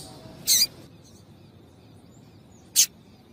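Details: Calls of a female double-collared seedeater, used to get males singing: a short, slightly drawn-out high chip, then after about two seconds a second crisp chip, with quiet hiss between.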